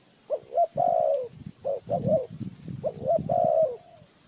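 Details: Lure spotted dove calling for trappers: three coo phrases, each a quick double hoot followed by a long mellow falling note, over low rumbling and knocking in the background.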